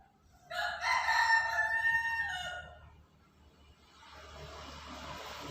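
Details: Bantam chicken (ayam Kate) searching for food, giving a single loud crow with a harmonic-rich opening that holds, then fades over about two seconds, followed by low background noise.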